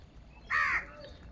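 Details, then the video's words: One short, harsh, nasal caw from a morning gathering of crows fighting for food, standing alone against a quiet background. "Many Crows Crowing sounds and Crowing noises in the Morning"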